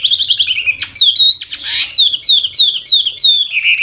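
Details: Hwamei (wambi) in loud, clear song. Repeated downslurred whistles come at a brisk, steady pace, interrupted near the start by a brief harsh rasp, then settle into a series of ringing, evenly spaced whistled notes.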